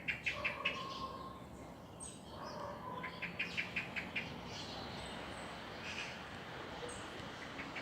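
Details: Birds singing in the morning: bright, sharp chirps in quick clusters near the start and again around three to four seconds, with softer whistled notes and a few thin high tones over a steady background hiss.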